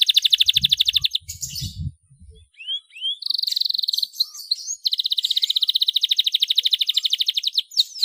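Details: Canary singing hard, as a lure for young birds still learning: long mechanical rattling trills with a short pause of soft low thumps, a few upslurred whistles, then a steady extended trill.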